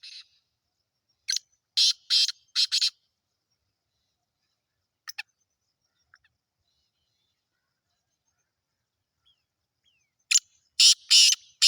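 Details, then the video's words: Black francolin (kala teetar, Sindhi), a bird offered for sale, gives two loud grating phrases of several harsh, rasping notes each, separated by about eight seconds of near silence with a few faint clicks. "Kala teetar sindhi || black francolin //sweet voice"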